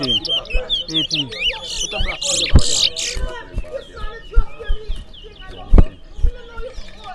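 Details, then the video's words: Towa towa seed finch competing in a singing contest in Berbice: quick chains of sweeping whistled notes and brief buzzy bursts, overlapping chirps and clicks, with a crowd talking and calling out counts. "Towa Towa Bird Singing Competition"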